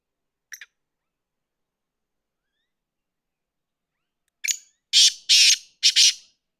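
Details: Black francolin (kala tetar), a pet bird: a brief faint note, a long silence, then a harsh grating phrase of four loud buzzy notes in quick succession.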